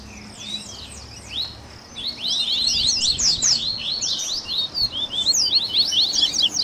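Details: Coleiro (Double-collared seedeater) 'baderninha' to stimulate a captive bird: a few faint chirps, then a loud, tumbling mix of high twitters and sharp slurred notes continuing to the end.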